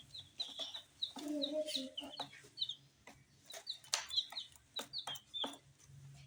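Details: Little dyed chicks eating spicy snacks chirp in rapid high peeps, short bent whistles in runs, while a brief human voice sounds early on and pecking clicks continue throughout.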